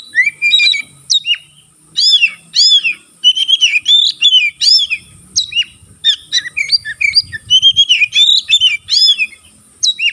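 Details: Singing white-rumped shama, kept as a cage bird and spreading its tail, said to spur other shamas into song: dense run of clear whistles, upslurred and downslurred notes and chirps in quick irregular phrases, faint low rumble beneath.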